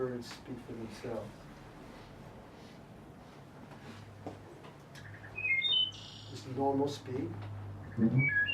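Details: A man's voice speaks first, then a wood thrush gives several short, clear, flute-like phrases of high ringing notes over a low steady hum.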